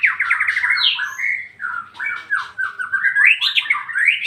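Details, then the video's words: White-rumped shama delivering nonstop ngeplong song, a continuous stream of loud, varied whistles with fluttering trills that climb toward the end. "MURAI BATU NGEPLONG-NGEPLONG"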